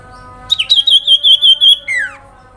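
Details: Sooty-headed bulbul giving a grincingan jingling call meant to draw a reaction from other sooty-headed bulbuls. A sharp upward note leads into a steady, rapid, high pulsed trill, which drops away in a descending slurred whistle.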